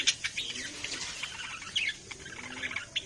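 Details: Pet budgerigars giving bright, high chirps and short scratchy tweets in quick irregular bursts, with a faint low hum underneath.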